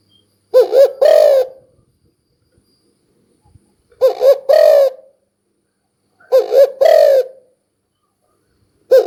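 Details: Spotted dove uttering three paired coos with long silent pauses of about three seconds between them; each pair is a short stuttering note then a longer falling hoot.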